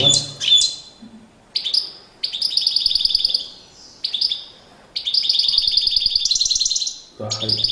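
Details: European goldfinch in courtship display, singing long rapid tinkling, twittering phrases broken by short pauses, with a few lower clicking sounds at the start and end.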